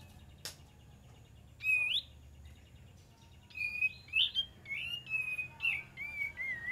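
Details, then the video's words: Kapas tembak singing, used as a lure: after a short sharp note, a few bubbly whistles, then a lively string of bright, wavering whistled phrases that runs steadily to the end, over a soft low hum. "PANCINGAN KAPAS TEMBAK DIJAMIN NYAUT"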